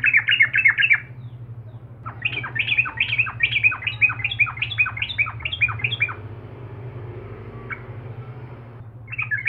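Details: Sooty-headed bulbul singing to goad rivals: a short chattering burst, a pause, then a longer run of quick repeated slurred chirps. Quiet follows with a low hum before another brief burst.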